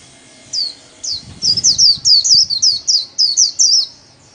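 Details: Solo 'líu' song of a kept white-eye, used as training song: a few spaced high sweeping notes, then an accelerating chain of rippling twittered phrases. A brief low rustle sounds early on.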